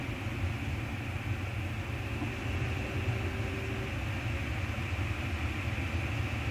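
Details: A constant low mechanical rumble with a brief faint hum partway through, and no animal sounds.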